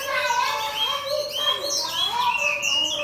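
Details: Chinese hwamei kept for competition with a fighting bird set next to it, fanning its tail; clear, sustained whistled notes gliding up and down, with high sweeping phrases layered over a steady lower tone.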